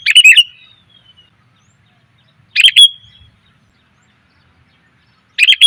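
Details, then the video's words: Three short chirpy bursts from a female sooty-headed bulbul calling to attract males, spaced roughly two and a half seconds apart, in quiet surroundings. "suara pikat burung kutilang betina,TOP bangat memanggil pejantan"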